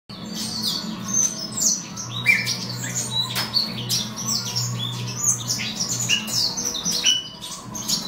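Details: Black-throated serin (Crithagra atrogularis somereni) at a breeding bay, where females have chicks a few days old, giving quick, high chirps and short twittering notes almost nonstop over a steady low indoor hum.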